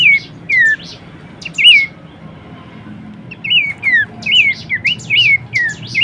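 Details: Song of a Horsfield's babbler for training and luring songbirds: clear wavering whistles falling in pitch, a few isolated at first, then a quicker run of repeated slurred notes over a soft low hum.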